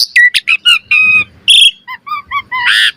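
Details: Asian pied starling, a caged bird used as a master song for training, sings a varied run of loud whistles, harmonic slurred notes and harsh buzzy bursts, with short downslurred notes repeated near the end.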